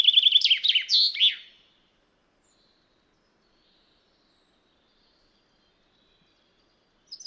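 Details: A common chaffinch recorded in the wild gives a quick, bright phrase of high chipping notes lasting under two seconds, then falls silent before one brief high note at the end.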